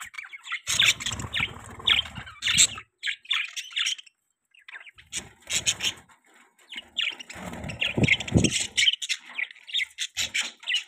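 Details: Budgerigars kept as pets chirping and chattering, with bursts of scratchy, warbling notes and squeaks, a silent gap midway, then renewed busy chatter toward the end.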